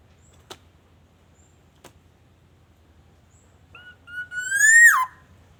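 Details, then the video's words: Black-naped oriole lure recording from Aceh, meant to prompt other orioles to sing: two faint clicks in near silence, then a single rich, rising fluty whistle that ends in a quick downward slur. "Kicauan kepodang emas pikat, Super gacor"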